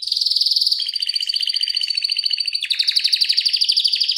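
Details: Tutor canary singing long rolling trills at high speed. A buzzy, pulsed roll shifts to a lower rapid trill with a steady high tone above it, then a louder, brighter trill is repeated many times a second.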